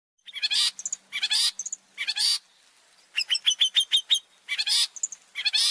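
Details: Long-tailed shrike opening song, lively and varied, used to lure other birds: harsh broadband bursts alternating with short whistled notes, a quick run of clipped repeated chirps in the middle, then more scratchy bursts.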